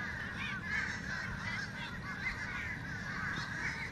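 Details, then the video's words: Several fish crows making a ruckus give harsh, nasal caws that overlap almost continuously, a noisy chorus over a steady low rumble of background noise. "Fish Crows calling"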